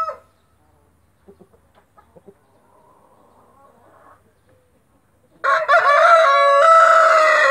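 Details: White splash Brahma rooster crowing: a few faint clucks and soft low noise first, then a loud harsh crow begins near the end, strong and sustained with raspy layered tones.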